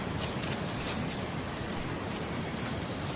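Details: Hazel grouse whistling: very high, thin, drawn-out whistled notes, two long ones and a short one between, then a brief series of quick, tiny descending notes, over quiet background.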